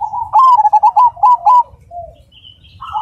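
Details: Rhythmic, loud, clear song of a black Cemani zebra dove: about eight crisp, rapidly stuttered coo notes in quick succession, then a short soft coo and a quieter rising coo at the end.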